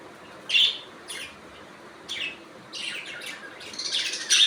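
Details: Natural budgerigar chirps: a sharp scratchy note, a few fainter ones, then a building run of buzzy chattering notes that grows louder toward the end.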